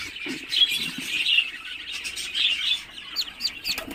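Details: Newly hatched Muscovy ducklings in an incubator after a 28-day incubation give a run of high, thin peeps, some brief rustling and a louder cluster of calls near the end.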